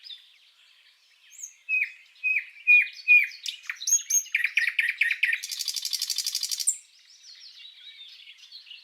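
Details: A common nightingale (Luscinia megarhynchos), recorded as song-tutoring material for cage birds, sings a rich phrase: clear rising whistles, then a rapid chattering series and a fast buzzy trill, ending in softer notes.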